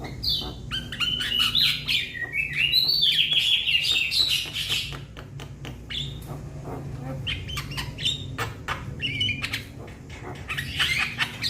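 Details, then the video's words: Young Javan myna calling to its companions, rapid scratchy chatter with bursts of whistled and buzzy notes, steady low hum behind. "Jalak kebo Muda Memanggil Kawan Suara Asli Jalak Kebo"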